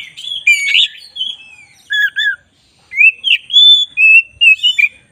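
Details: Song of a black-breasted Oriental magpie-robin, used as training material: varied sweet whistles, a pair of lower falling notes, then quick rising and level whistles delivered energetically.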